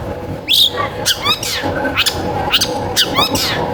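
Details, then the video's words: Long-tailed shrike singing in a lively, chattering style, used to prompt other shrikes to sing; sharp rising and falling sweeps and harsh, nasal notes come in quick bursts about every half second, with steady background hiss. "Suara Pancingan Cendet Gacor Paling Banyak Di Cari Suaranya Jernih Gacor"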